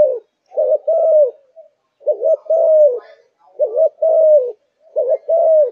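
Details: Low, mellow cooing from a kept Malaysian spotted dove said to be in full fire. Each phrase is a short note then a longer curved coo, and four phrases are heard at slightly uneven intervals.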